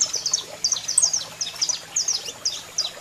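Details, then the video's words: Saffron finch male singing with a female calling: quick high descending chirps in short clusters, a few sharp bright notes, faint low hum throughout. "Canario da Terra Cantando Muito e Fêmea Chamando Top Para Foguear!!!"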